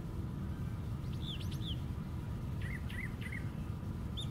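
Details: Singing brown thrasher at the very top of a white pine: a pair of arched whistled notes, then a triple of matching rising-falling slurs, over a persistent low rumble.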